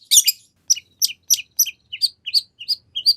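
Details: Song of a long-tailed shrike full of borrowed phrases, played to provoke another shrike to answer: a scratchy double burst, then evenly spaced sharp chirps about three a second, each sliding downward.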